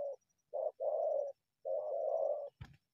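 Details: A wild spotted dove coming from bushes to hit a decoy gives low hollow coos, a short note and a long drawn one, then a long wavering coo, ending with a sharp click.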